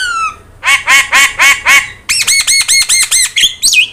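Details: Singing yellow-eyed Javan myna used to train other birds; a falling whistle, a quick series of about five nasal squawks, then a faster row of arched, looping whistled notes ending in a rising slur.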